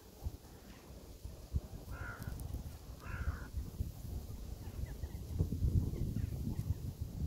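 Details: Crow giving two harsh caws about a second apart, then falling quiet over a steady low rumble of background noise.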